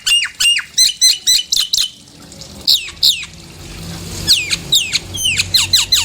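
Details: Nias hill myna calls used as a lure to provoke caged birds into singing: a rapid run of about eight loud, sharp, downslurred whistles, a pause, then further spaced and clustered piercing whistled notes, with faint low background rumble.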